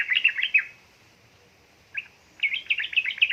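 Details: Yellow-vented bulbul female calling to a male, played to stimulate idle birds to sing; a short burst of chattering notes, a long pause, one lone note, then a quick bubbly run.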